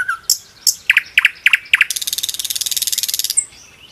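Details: Common nightingale (Luscinia megarhynchos) song: a few sharp, separate chirps, then a fast, high, rattling trill of repeated notes lasting about a second and a half.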